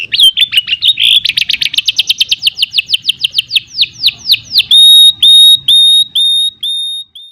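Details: Canary singing a long stimulating song: a dense rapid trill of descending notes speeding along, then a series of slower, clear, sustained whistled notes repeated about every half second.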